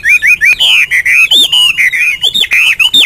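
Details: A Hwamei pours out rapid, rich whistles. Looping, warbled notes run in a dense chain with barely any gaps, bright and clear against near silence.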